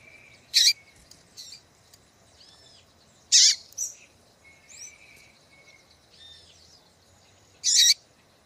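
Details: Calls of a female double-collared seedeater, used to get males singing for song contests. Three loud, high, rasping chips come a few seconds apart, with faint thin whistles and soft chirps between them.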